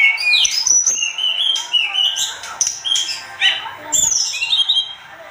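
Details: Sunda robin singing with agitation as a tutor recording for cage birds: bright high whistles and quick rising and falling slurs delivered in rapid succession, loud at first and fading slightly toward the close.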